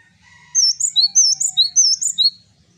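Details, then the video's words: Singing male Java sparrow gives a quick string of about five high, ringing paired notes, 'wucit wucit', after soft thin whistles and a low background murmur. "Burung Gelatik Jantan Gacor, Wucit wucit...."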